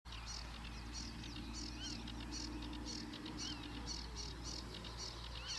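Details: Eurasian reed warbler singing: rhythmic, scratchy chattering phrases of high repeated notes, delivered steadily with short stuttering bursts throughout, over a constant low hum in the background.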